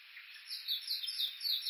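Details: Japanese bush warblers recorded while walking the Uguisu Road at the foot of Mount Yakushi, Kuga, Suo-Oshima, Japan, give a quick series of bright, high chirping notes, about twice a second; song and alarm screams.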